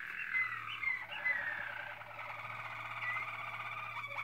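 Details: Waterslager canary of Malinois breed, 2016: sliding whistled notes open a smooth, sustained rolling tour, with a faint low hum in the background.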